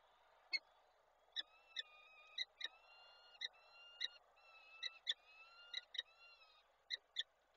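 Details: Peregrine falcons at a nest in Koszalin, Poland, on 13 May 2022, an adult bringing prey and feeding the chicks: short sharp calls in irregular bursts, with thin, steady whistled tones from another bird in the background.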